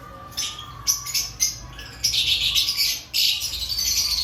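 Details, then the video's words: Aviary lovebirds before the breeding season giving high, scratchy chirps that merge into continuous harsh chattering in the second half. "Before breeding season Check your love Bird activity"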